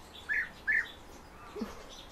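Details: Kept European bee-eater giving two short, rolling, burry notes about half a second apart, followed by a brief low murmur, possibly a human voice.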